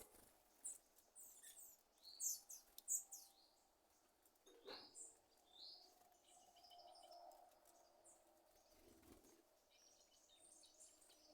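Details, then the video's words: Sabiá thrush making a noise like popcorn popping: sharp, high, dry pops and clicks in irregular bursts, loudest in the first three seconds, then softer scattered chirps and ticks over quiet rural background. "Pássaro Sabiá fazendo barulho de estouro de pipoca"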